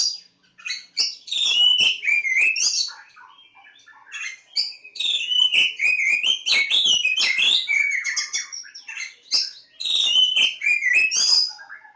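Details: Oriental magpie-robin from Java singing a rich, varied song of loud whistles, rapid twittering phrases and scratchy notes, mostly high-pitched, in dense bursts with a short quieter pause near the middle.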